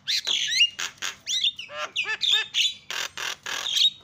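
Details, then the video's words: Starling lure meant to make other birds call out. It is a rapid string of harsh squawks, raspy bursts and twanging, bending notes, with few gaps, over a faint low hum. "JALAK GACOR SUARA SUPER KRREENN"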